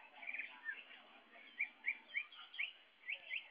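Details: Young greater green leafbird singing busily: a run of short whistled and chirped notes, several bright slurred phrases repeated at irregular intervals, fairly quiet.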